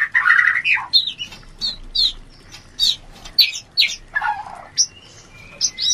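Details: White-rumped shama mating call, used to raise breeding urge, heard as spaced harsh squawks and short whistled notes, each a separate burst with quiet gaps between.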